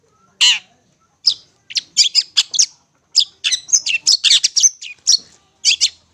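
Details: A Long-tailed shrike master song for tutoring young birds still fed by hand. After a few spaced squeaky calls, a dense, varied stream of loud chattering and whistled notes runs on almost without a break.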